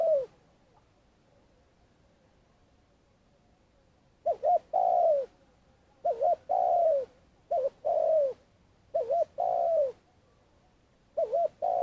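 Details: Spotted dove decoy for bird trapping, in long calling: after a quiet start, five soft coo phrases at uneven spacing, each a fluttering double note and a long falling coo.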